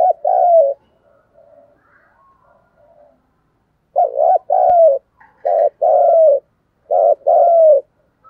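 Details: Low 'thổ'-voiced spotted dove in the urging 'thúc gù' style, a lure for wild doves: one loud coo, a pause of soft murmurs, then three strong paired coos with a falling tail, roughly every second.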